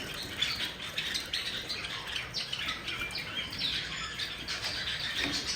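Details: Bathing Java sparrows utter brief, thin chirping notes every second or so over continuous water spray and pattering droplets.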